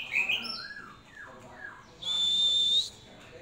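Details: Hand-reared young Oriental magpie-robin singing: a few clear whistled notes and slurs, then a long, steady high whistle, with faint background noise.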